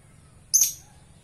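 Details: Single shrill, harsh lovebird chirp, a brief high-pitched burst lasting about a third of a second over a quiet background.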